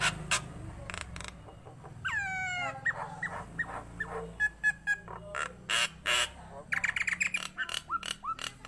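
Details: Nias hill myna in energetic song, opening with a long descending wailing slur, then short whistles, loud harsh squawks and a fast stuttering sequence of notes, over a faint low hum.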